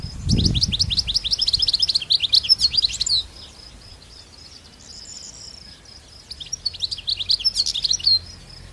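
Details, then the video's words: A wild European goldfinch sings in the wild, pouring out fast tinkling twitters in two bursts separated by a pause of about three seconds, with a brief low thump at the start. "تغريد طائر حسون خلوي سوفاج في برية"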